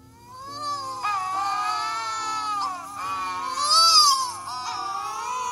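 Wedge-tailed Shearwater giving long, moaning wails that rise and fall like a crying baby, with low steady tones humming underneath.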